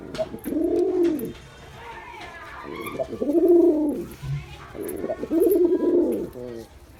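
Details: Three strong, evenly spaced coos from a male pigeon, each a rounded, throbbing arch about a second long, separated by quieter gaps and small clicks.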